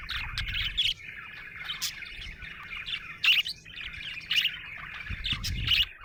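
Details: Happy budgerigar chirping: a warbling chatter broken by loud sharp squeaky chirps about once a second, between them softer rapid twittering; low background rumble at times.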